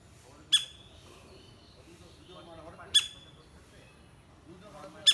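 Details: Woodpecker pecking: sharp, isolated knocks roughly every two and a half seconds, three taps in about five seconds, with faint soft chirping in the quiet between strikes.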